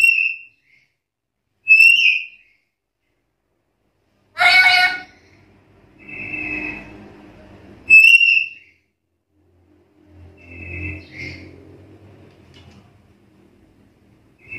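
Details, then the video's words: Black-capped lory calling to challenge rivals: short whistles spaced a few seconds apart, one harsh grating screech, and softer rasping notes, with low rumbling background noise near the end. "Suara burung nuri kepala hitam gacor menantang lawan"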